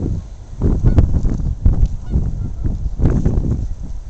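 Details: Canada geese on the Saskatchewan River at Saskatoon on a very windy day, recorded with a camcorder: faint, scattered nasal honks barely rising above heavy, roaring wind noise.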